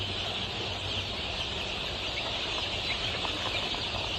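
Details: Golden Misri chicks, 23 days old, on a poultry farm in Pakistan, fill the air with overlapping shrill cheeps, a few brief rising notes audible, over a low hum.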